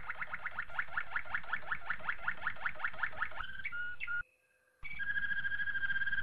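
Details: Malinois Waterslager canary training song: a string of evenly spaced bubbling, gurgling notes, a couple of sliding whistles, a short gap, then a smooth sustained roll.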